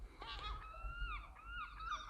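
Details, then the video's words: Gulls calling in the background outdoors near trees in a light breeze: a long, level, slightly wavering whistled cry held for about a second, then repeated with a falling end, over low wind rumble. "Maybe you can hear the seagulls."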